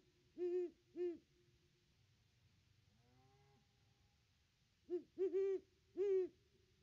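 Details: Wild great horned owl at the nest tree on a Christmas visit, recorded by nest cam: two deep hoots, a pause with a faint rasping note, then a closely spaced run of three to four low hoots.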